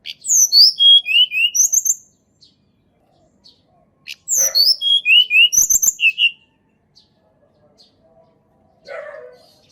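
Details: Sunda robin singing, offered as a lure to prompt birds that rarely sing: two bright phrases of rapid high whistles, each note sliding downward, with about two seconds of quiet between them and a low rough note near the end.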